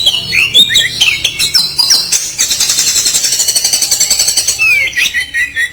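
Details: Oriental magpie-robin in full song with harsh 'kasaran' material said to make rival birds puff up. Opens with high whistled slurs and scratchy notes, then a long rapid buzzy rattle of evenly spaced pulses, ending in falling whistles.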